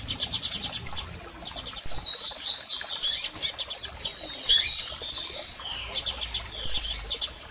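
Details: Female and male double-collared seedeater calls used to fire up a male: fast ticking rattles alternate with high sliding chirps and sharp squeaks.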